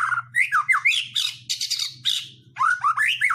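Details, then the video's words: White-rumped shama singing to provoke rivals into song: a string of rising and falling whistled notes and harsh, scratchy bursts, then more swooping whistles after a brief dip, with a steady low hum behind. "Pancingan murai batu mendongkrak keluar isian"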